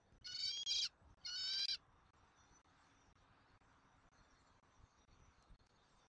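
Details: Young bald eagle being fed dinner at a Southwest Florida nest, recorded on a nest camera on 13 January 2024: two sharp, shrill squeals close together, then quiet background hiss with a faint high whistle.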